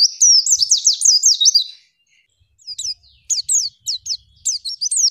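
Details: Female white-eye singing in a masteran training recording: a fast run of high, thin, wavy chirps for nearly two seconds, a short pause, then scattered sharp twittering notes returning in quick bursts.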